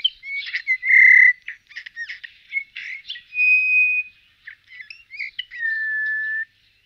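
Eurasian bullfinch singing a quiet, halting medley of soft piping whistles, creaky notes and short chirps, with a few longer steady whistled tones; nothing else is heard.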